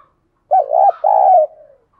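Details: Vigorous urging coo from a spotted dove kept as a decoy: one loud phrase of a short warbling note followed by a longer, steady rolling coo that trails off, clean and close, nothing else audible.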